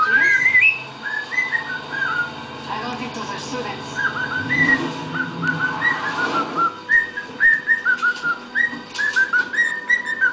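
A cockatiel whistles a string of clear, rising and falling notes over faint television talk.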